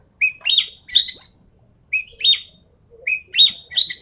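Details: Endemic Sumatran treepie lure recording: three phrases, each opening with a short clear whistle followed by a loud, harsh, upward-swept chattering burst, spaced about a second and a half apart, with no other sound.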